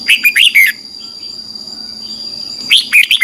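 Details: Morning song of a red-whiskered bulbul used for training a wild-caught bird: a brief phrase of four ringing, slurred notes, a quiet gap, then another similar phrase beginning.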